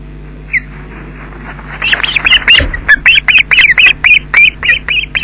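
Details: Osprey at a Loch Garten nest in Scotland, 20 June 2012 around 13:24, as an adult delivers fish to chicks, captured by webcam: after near silence, a fast run of about sixteen sharp, high, down-slurred whistled chirps over a low hum.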